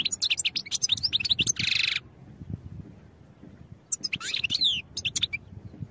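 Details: European goldfinch singing, a recording meant for training: quick high twittered phrases, then a harsh buzzy note of about half a second, a gap, and more bright tinkling chirps and slurred trills; faint low hum throughout.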